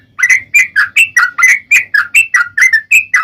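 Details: Sooty-headed bulbul (trucukan) in ropel singing style, delivering a steady string of loud, rich whistled notes, rising then falling, about four per second, with low background noise.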